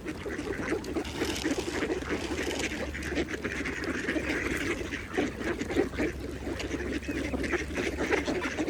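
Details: Mallard ducks feeding on a pond give repeated harsh quacks mixed with bill-dabbling sounds over a continuous wash of pond ambience.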